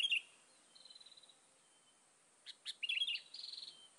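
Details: A sooty-headed bulbul, used to lure other bulbuls, gives sharp high chirps and short rapid trills of evenly spaced notes, with a few louder clipped notes near the end over a faint outdoor hiss.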